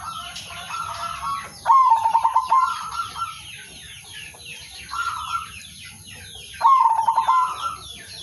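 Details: Local male zebra dove calling rivals, used as a lure for trapping; a rolling cooing phrase with a fast trill, repeated about every five seconds, over busy chirping of many small birds.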